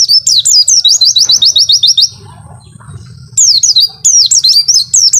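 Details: Pleci, a white-eye, giving its long 'wit-wit' tutor song. A fast even trill of high sharp notes lasts about two seconds and is followed by a brief quiet gap. Looping, falling whistled phrases then resume, with a faint low rumble behind.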